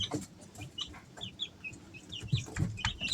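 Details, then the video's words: Three-week-old Easter Egger chicks kept at home in summer, giving soft, scattered high peeps that rise and fall, several overlapping, with low thumps and rustling beneath. "Sounds of baby chicks"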